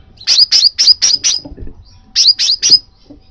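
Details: Call of the crimson sunbird, used by keepers to spur a pet bird into song: five rapid, sharp, high chirps falling in pitch, a brief gap, then three more.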